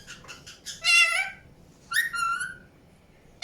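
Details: Indian ringneck parakeet calling: a few quick short notes lead into a strong drawn-out harmonic call, then another long call that falls slightly in pitch.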